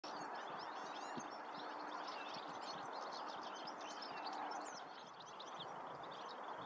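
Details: In Estonia, European goldfinches give fast, tinkling, high twittered notes, several birds overlapping continuously, over a steady background rush of wind or distant noise.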